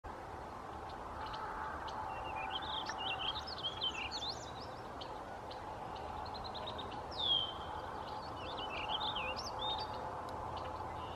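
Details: Warbling vireo at Saint-Fulgence on 22 May 2015: a long, rambling run of slurred, wavering warbles rising and falling at high pitch, over a steady low background hum.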